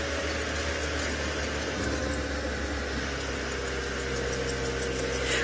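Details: Idling vehicle engine rumbles steadily under broad hiss at sunrise, with no animal calls standing out.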